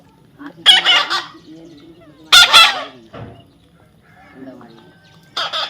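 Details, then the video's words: A young parrot gives raspy screeching squawks in irregular bursts, with two loud harsh calls, a softer rough note and a last screech, and a low hum beneath. "natural funny parrot sound"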